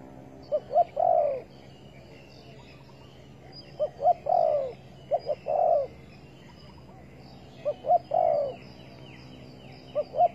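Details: Spotted dove during bird trapping with bare bait, 15 August 2020: low mellow coos in phrases of two short notes followed by a longer drawn-out coo, repeated several times over a faint steady background hum.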